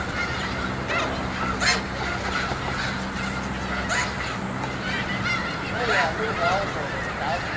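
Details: Migrating snow geese, some 2,000 to 3,000 of them, fill a school yard with continuous overlapping honks. Higher barking notes stand out every second or so against the constant din.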